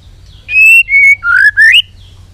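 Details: White-rumped shama, singing with excitement and tail-flicking, gives four clear sustained whistles, the first two level and high, the last two lower and rising.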